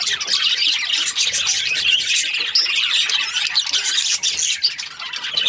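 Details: Overlapping chatter from Australian budgies, a steady blend of raspy squawks and thin chirps with the odd louder squeal.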